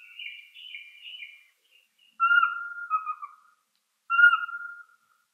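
Eurasian Pygmy Owl giving plain, low, even whistles about two seconds apart, after a brief run of higher, wavering whistled notes.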